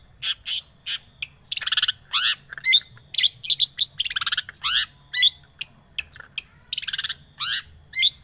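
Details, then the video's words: Long-tailed shrike lure recording meant to prompt a quiet bird into full song: fast, busy run of harsh scratchy bursts mixed with short rising whistles and clicks, delivered in quick irregular succession. "Pancingan Cendet Macet,putar 1detik dijamin pasti ikut gacor"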